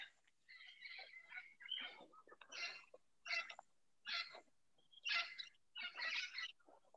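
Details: Parrots on Pipeline Road in Soberania National Park, Panama Canal Zone rainforest, give harsh, raspy squawks in uneven bursts about once a second, some running together into grating chatter, with quiet gaps between.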